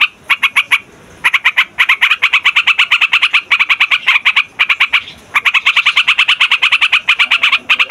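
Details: Yellow-vented Bulbul singing in long, busy rolls as a lure for catching wild birds of its kind: quick harsh notes in runs, broken by short gaps after the first second and around five seconds.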